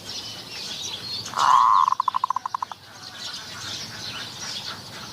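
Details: Zebra dove used in luring wild doves with a decoy at Wapi Pathum, Maha Sarakham, Thailand: a loud, buzzy rolling coo followed by about nine quick staccato notes that fade out. A steady high insect hiss fills the background.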